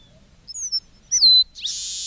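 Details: Red-breasted meadowlark singing: thin high whistles, a bright note gliding down with a sweeping slur below it, then the start of a dry buzzy wheeze; quiet low background noise.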